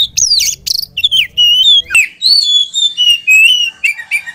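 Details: Oriental magpie-robin singing loudly: rich whistled phrases with a few harsh notes, long level whistles and falling slurs, one sharp click midway, in a varied continuous stream.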